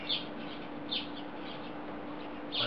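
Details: House sparrows in a chorus on a wire in Belgrade, Serbia, in July: short, bright chirps sound at irregular intervals, several within under three seconds, over a steady low electrical hum and faint background noise.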